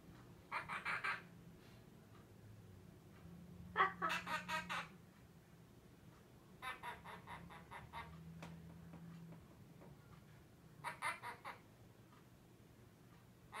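A monk parakeet gives short bursts of rapid, raspy ha-ha-ha laughter, copied from people.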